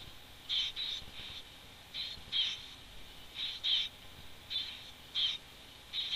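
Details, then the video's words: Wood warbler on 11 June 2011 giving short, high, thin call notes in clusters of two or three, roughly every second, over a low steady background hiss. "Wood warbler"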